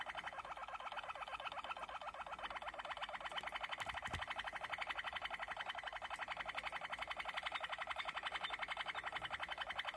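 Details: Malinois waterslager canary song as a long, rapid, even rolling trill held for ten seconds, dense and buzzy, with a brief low knock partway through.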